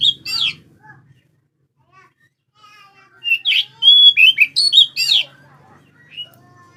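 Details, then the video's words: Oriental magpie-robin singing by day and night, used as a lure for other birds: bright whistled phrases with buzzy, rapidly varied notes in bursts, a loud run of sliding whistles mid-clip, with faint low background hum. "kacer gacor siang malam cocok buat pancingan"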